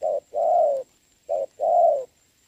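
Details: Spotted dove in a rainy decoy match on 26 November 2022; two clean phrases, each a clipped coo and then a longer, level, throaty one.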